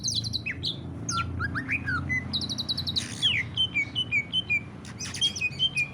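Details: Greater green leafbird singing ngentrok style, used as a lure to make other leafbirds sing: varied sharp chirps, a brief harsh burst, then a run of short repeated whistled notes, low rumbling background.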